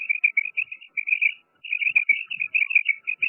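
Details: A female common quail gives rapid, squeaky high chattering notes in runs, with a brief pause midway and a faint steady hum underneath.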